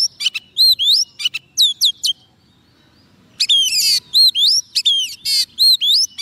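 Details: Song of a white-rumped shama kept on soft food and quick to sing, meant to call in wild birds: bright rising whistles and rapid chirps, then a silent gap, then more varied ringing phrases.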